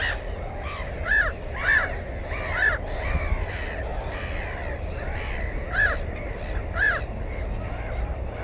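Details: At a nest containing one egg and a chick, a black-headed gull gives sharp, rasping calls, each rising then falling. About seven calls come in irregular bursts over low wind rumble. Recorded 15 May 2016 with a GoPro camera.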